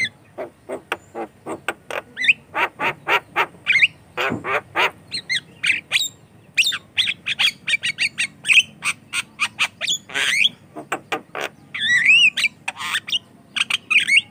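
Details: Vigorous Javan myna song, used as a lure and teaching sound for raw mynas: a long, unbroken series of rasping, crackling notes, short whistles and squawks, with a warbling whistled passage near the end.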